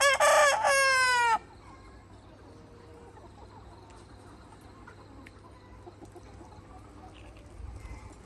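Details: Free-range Red Mía rooster with hens on a farm: the loud tail end of a crow, a sustained strained note, then quiet background with faint, soft farmyard sounds.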